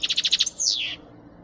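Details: European goldfinch singing, used for song training: a quick series of six evenly repeated high chips followed by a single long, sweeping downslurred whistle.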